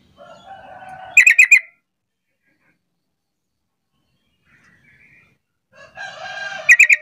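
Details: Sooty-headed bulbul call used as a lure to get lazy bulbuls calling in reply. Two loud clusters of three or four sharp, bright notes about five seconds apart. Each cluster sits over a softer buzzy chatter, with near-silence between.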